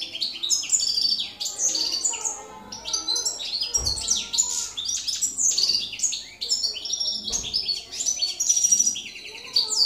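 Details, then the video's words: Goldfinch in campero song, 2017: a long, lively stream of high, liquid twitters, metallic tinkles and rapid chirping trills, nearly unbroken across the clip, with a couple of faint low thumps in the background. "jilguero campero"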